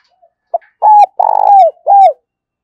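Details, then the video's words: Lure spotted dove calling in the giọng thổ voice to attract wild doves. A short clipped note opens, followed by three loud hollow coos; the middle one is drawn out and vibrating, each dropping at its close. "tiếng chim cu gáy mồi gáy gọi. tieng cu gay kich boi nhanh noi"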